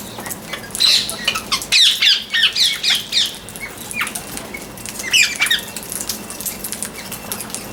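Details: Chirping parrot giving a quick run of about eight harsh, squawky chirps in a row, then scattered single chirps and a brief chattering burst later, over faint background rustling.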